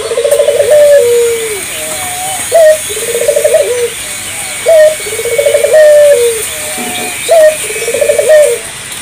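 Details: Lively spotted dove song meant to get local doves singing: clipped rising note, bubbling rolled trill and drawn-out flat coo sliding down at the end, repeated about every three seconds, with faint high hiss behind.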